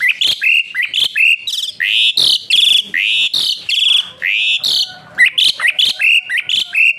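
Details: Asian pied starling in loud whistling song with rough, dense bursts, used as a model for training other songbirds: rapid varied whistled notes and harsh chips, loud and high, in quick irregular succession over seven seconds.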